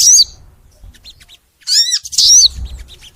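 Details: Loud crimson sunbird phrases from a recording made to spur kept sunbirds to sing: three separate bursts of high, sweeping whistled notes with falling slurs, split by near silence.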